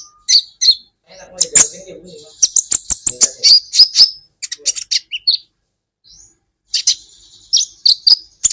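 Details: Olive-backed sunbird (kolibri ninja) recorded as a masteran for training caged songbirds in Indonesia: sharp high chirps and buzzy twitters in quick bursts, a short faint whistle, then more rapid chattering notes.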